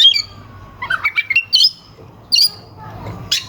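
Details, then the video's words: Oriental magpie-robin in full song, with sharp, harsh phrases used to provoke rival birds. Scattered bursts of high whistles and slurred notes come between pauses, followed by a low descending whistle and a late sharp note. "Suara kacer gacor NGEPLAY KONSLET pancingan kacer ampuh bikin lawan ikut EMOSI"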